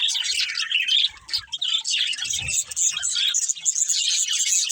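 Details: Budgerigars in a family group, playing, give continuous high chirps and squeaky warbling, with many voices overlapping and a few brief low knocks near the middle.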